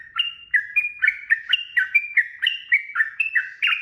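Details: Gacor, ropel-style singing of a sooty-headed bulbul as tutor audio: a steady chain of two-toned, bouncing whistled notes, roughly three per second, alternating higher and lower pitches throughout, with a clean quiet background.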